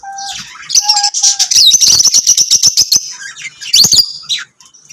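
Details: Lovebirds singing and chirping: a few short whistled notes open, then a sustained stream of fast, shrill, high twittering with rapid clicking pulses, ending in a sharp squeaky flourish.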